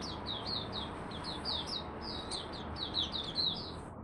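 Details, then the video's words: Malaysian oriental white-eye (mata puteh), a kept hobby songbird, in its first warm-up singing of the day: a run of rapid, high, thin slurred chirps strung into a continuous twittering warble over a steady low background hum. "Malaysian Mata Puteh Buka Sing"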